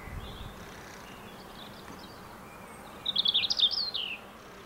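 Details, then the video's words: European robin singing at sunset: a brief, high, tumbling phrase of thin warbled and trilled notes lasting about a second, with faint hiss between. "Rouge-gorge chantant"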